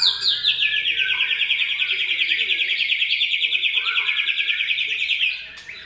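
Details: White-rumped shama delivering gacor song: a steady, rapid buzzy trill held for about five seconds at an even pitch, ending with a short higher note.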